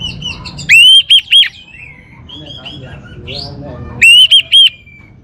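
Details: Orange-headed thrush giving two loud bursts of three ringing whistled notes each, separated by quieter varied warbling and chirps, over a faint low hum.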